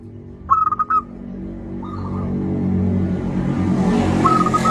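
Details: Loud-voiced local zebra dove used as a calling lure. One quick phrase of four or five clipped coos comes early, then fainter repeats sink beneath a swelling roar of rumbling, engine-like noise.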